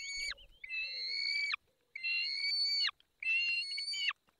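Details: Peregrine falcon at feeding time in the Barycz Valley, 20 May 2021 at 10:22: three long, harsh, harmonic wailing notes about a second each, level then dropping sharply at the end, separated by brief pauses.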